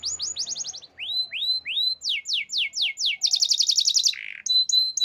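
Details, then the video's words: Canary song of clear repeated tours: quick falling whistles, slower upswept notes, downslurred syllables, a fast high trill, a short buzzy note and a final whistle. "Natural Sound of Forest Birds Chirping || Canaries"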